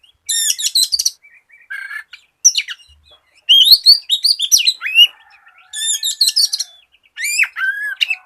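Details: Lure song of a white-rumped shama to get others singing: repeated bursts of high, rattling trills and sharp, varied whistles and chatters, separated by brief silences over several seconds.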